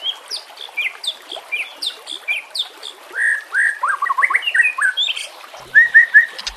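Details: White-rumped shama song for training master audio, set against nature sounds and trickling water: high thin chirps give way to loud, rich, swooping whistles in quick clusters, ending with three even repeated whistled notes.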